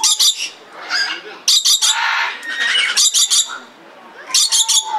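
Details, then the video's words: In Belgrade Zoo, Serbia, 2022, a red lory fires off quick trains of three or four piercing, rasping screeches, pausing between bouts while distant crowd noise continues. "Papagaj crveni lori│Red Lory│Eos rubra"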